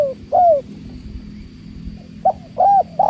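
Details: Spotted dove, known locally as tekukur, with the sound of water. An arched coo ends one phrase. After a quiet stretch of low murmur, a new phrase begins with short and arched coos.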